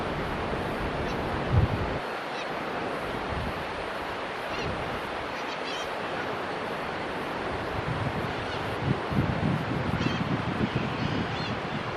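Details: Steady wind roar buffets the microphone, with low rumbling gusts and no clear animal voice.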